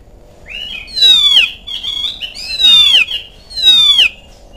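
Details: Lure recording of an oriental magpie-robin used to get kept birds singing back: three loud, ringing whistled phrases, each gliding downward, repeated roughly every one and a half seconds.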